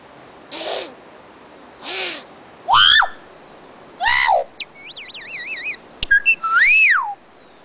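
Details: Tui singing in Feilding. Varied phrases: breathy rising notes, loud descending slurred whistles, quick wavering warbled trills and sharp clicks, with pauses between phrases and a faint steady background hiss.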